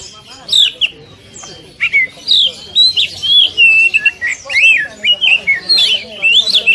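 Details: Oriental magpie-robin training song in the 'tembakan rapat' style for caged birds: after a quiet start, closely spaced bright whistles, chips and swooping slurs pour out in fast, busy phrases.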